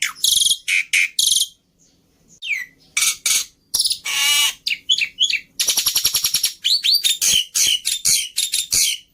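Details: Black-winged starling lure and tutor song, full of easily copied filler phrases: loud rasping bursts, a long buzzy squawk, then a quick stuttering rattle of repeated notes and bright up-slurred whistles.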